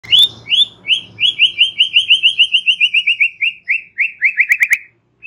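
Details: White-rumped shama giving relaxed chatter used to prompt young birds to sing: a fast series of buzzy, slightly descending trilled notes, about four per second, sliding gradually lower in pitch, ending in quicker clipped notes.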